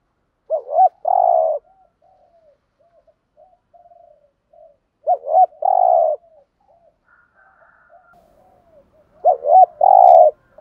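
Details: 'Thúc gù' cooing from a decoy spotted dove with a 'giọng thổ' voice: three phrases roughly four seconds apart, each a short wavering double note and a sustained low coo, soft quiet notes between, plus a faint higher tone.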